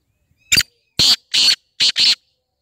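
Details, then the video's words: Black francolin (kala teetar) call, played to make a new francolin call; five harsh, buzzy bursts in an uneven phrase, loud and clear against silence. "کالا تیتر کی مکس آواز یں جو نئے تیتر کو بولنے پر مجبور کر دے"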